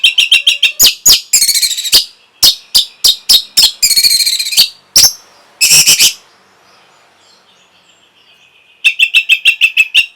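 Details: Song of an orange-headed thrush meant to trigger breeding drive and response: fast runs of sharp repeated notes about three per second, harsh buzzy bursts, a quiet stretch with faint twittering, then another rapid series.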